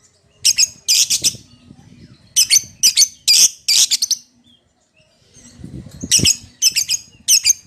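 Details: Lovebird calling a companion, given as bursts of harsh, high chattering chirps in short clusters separated by pauses, with faint low rumbling between bursts.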